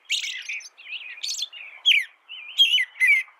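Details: A continuous warbled stream of rising and falling whistled notes from an American robin, broken by thin, high, squeaky accents.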